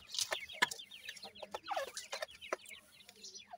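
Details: Several young Grey francolin chicks kept and raised by hand, chirping continuously in rapid high falling peeps that overlap one another, with sharp clicking and tapping noises mixed in and a steady low hum underneath.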